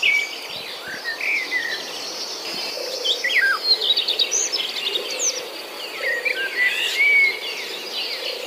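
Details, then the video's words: Young birds left in the nest while the mother is away looking for food. Thin, high chirps and short rising and falling squeaks repeat irregularly over a steady hiss of insects outdoors. "Kondisi anak burung saat induk mencari makan"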